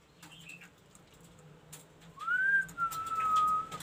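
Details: Ashy tailorbird singing actively: faint short notes at first, then a clear whistle that rises, dips, and settles into a long level tone, with low background noise.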